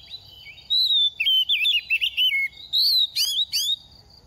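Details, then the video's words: Oriental magpie-robin singing during the moulting season, a semi-mature bird losing feathers: clear sliding whistles give way to a lively string of twisting notes, closed by bright upward-swept whistles and a sharp slurred call. "Kích chim hót mùa thay lông | Choè than bánh tẻ lên 2 vụ mau mồm đang rớt lông p3 Kích Choè Than Hót"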